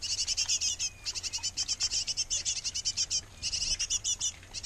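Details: Nest box of breeding great tits, the pair busy feeding young: near-continuous high chattering chirps in fast trains with only brief gaps, shrill and tightly repeated, against a soft low background hum.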